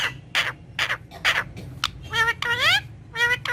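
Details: Green ringneck parrot talking in Urdu and Hindi in front of a mirror: a run of short, varied, speech-like syllables, then rising harmonic squawks in quick succession.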